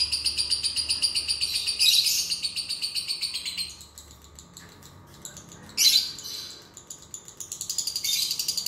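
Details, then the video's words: Lovebird song used as a prompt to stir a lazy lovebird into singing: a fast, high chattering run of repeated notes about four per second, then softer scattered twitters and a brief loud burst near the end. "PANCINGAN LOVEBIRD MALAS NGUNCI"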